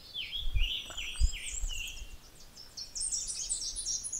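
Tennessee Warbler song: high, sharp chips that quicken through the phrase and end in a fast, very high trill, over low rumbling background noise.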